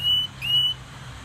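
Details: A canary named Ringo sings two pure, steady, high whistled notes, linked by a quick upward slide, over a faint low hum.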